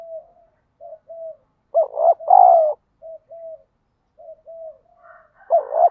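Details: Spotted dove in daily lure training to stir up fighting: soft short coos lead into a loud three-part phrase ending in a long falling croo, then more quiet coos and another strong double note.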